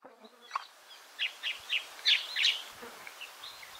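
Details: White-browed Woodswallows feeding at midday in dense grassland at Pengilly Scrub, Mudla Wirra Reserve, South Australia, on 13 November 2021. They hover over an ant or termite alate emergence, giving quick harsh chattering chirps, about three a second, over a faint insect-like buzz.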